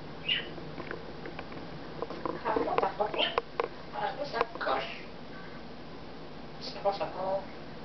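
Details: Congo African grey parrot, recorded in December, talking indoors with flattering phrases about how pretty they are: bursts of speech-like syllables with a few whistled high tones, separated by short pauses.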